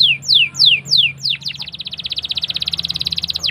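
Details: Canary rolling song to teach young canaries to sing: three loud descending whistled slurs, then a fast, evenly repeated trill for about two seconds over a faint low hum.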